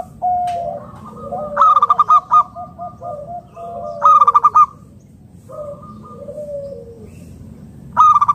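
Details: Local zebra dove calling to draw other doves into answering: loud bursts of rapid, harsh-edged pulsed notes repeated about three times, alternating with softer, sliding low coos.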